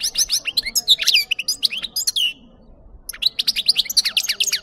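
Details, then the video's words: European goldfinch singing, from a recording used to attract birds for trapping: quick liquid twitters and buzzy trills in a dense burst, a brief silence near the midpoint, then another rapid twittering phrase. "Chardonneret qui chante"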